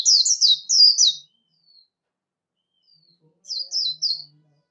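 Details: Warbling white-eye competition song for voice training: a quick phrase of high twittered notes, a silence of about two seconds, then a second shorter burst of the same chirps. The recording is clean.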